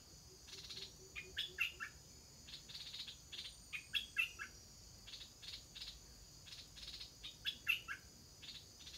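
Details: Stripe-throated bulbul chicks shortly before their first flight, giving clusters of short, sharp chirps that rise and fall, grouped in bursts a few seconds apart, over a steady high insect drone.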